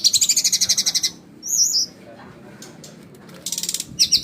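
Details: Flycatcher producing fast, very high trilled bursts of rapidly repeated notes, a short warbled whistle between them, then more rapid trills after a pause.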